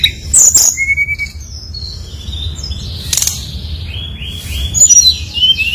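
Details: Brown-chested jungle flycatcher in full voice, played to lure rivals into singing: clear separated whistles, some long and level, some sliding down, with a row of rounded repeated notes and high flicking trills, faint background hum.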